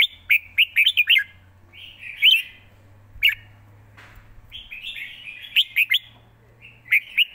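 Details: A red-whiskered bulbul delivers quick, stylish live song: runs of four or five sharp whistled notes, then a pause and softer slurred warbling before fresh bright phrases, a low steady hum beneath.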